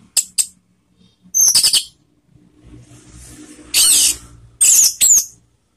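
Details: Orange-headed thrush calls used as a lure to prompt other birds to sing: short harsh high bursts, a few brief ticks, then separated scratchy notes with a faint background hum.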